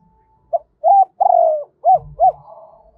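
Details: Decoy spotted dove cooing to attract wild doves in the two-ending double-voice style; five hollow notes: short, rounded, long and descending, then two quick arches, with faint low rumbling near the end.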